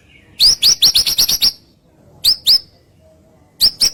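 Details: Provocation song of a white-rumped shama, used to make other shamas reply: a quick burst of about seven high, sharp upslurred notes, a pause, a pair of the same notes, then another pair.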